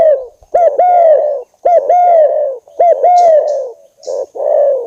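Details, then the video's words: Luring call of a spotted dove to provoke a rival: steady run of two-note coos, short then long and slightly falling, closely spaced, ending with rougher, breathier coos. "burung derkuku / tekukur bikin emosi lawan, hitungan detik langsung nyaut, pikat burung tekukur mp3"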